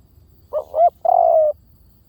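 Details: Spotted dove decoy lure call: one cooing phrase of two short rising notes followed by a long, steady, slightly falling coo, low-pitched and clear over a faint low hum.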